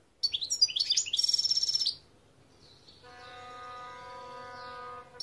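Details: European goldfinch song of fast, liquid twitters followed by a trilled buzzy stretch, then a steady humming, musical tone in the background once the bird stops.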